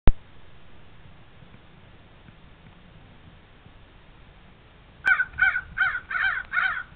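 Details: Crows fighting: after a click and about five seconds of quiet hiss, harsh, raspy caws burst out in quick repeated series, several in a row, loud and rough, lasting to the end.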